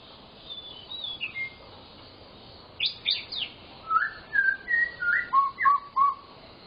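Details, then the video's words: Murai batu singing full-fill gacor song to spur silent shamas: soft high whistles, three sharp strokes, then a string of clear, rich whistled notes slurring up and down at a steady pace. "burung murai batu gacor, Full isian"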